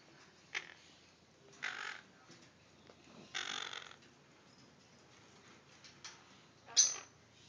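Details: Four baby Quaker (Monk) parakeets, two males and two females, give harsh, raspy squawks in short bursts separated by pauses.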